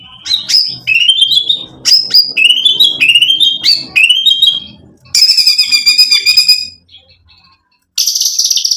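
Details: Shama song used to provoke rivals: five or six rising whistled phrases with scratchy buzzy ends, then a long high buzzy trill, a short pause and another harsh high rattle.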